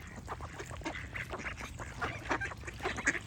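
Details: Busy duck chorus of nasal, buzzy quacks in quick succession, growing louder toward the end.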